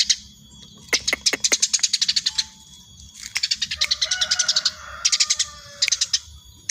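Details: Eurasian tree sparrow, very tame, calling busily with dense volleys of sharp, high chirps, some clusters nearly continuous. A few sharp clicks near the start and a faint lower whistle-like tone midway, over a quiet low hum.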